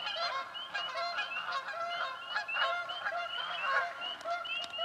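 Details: Canada geese fighting for nest sites in a swamp, with a dense, continuous clamour of repeated honks from many birds layered over each other throughout.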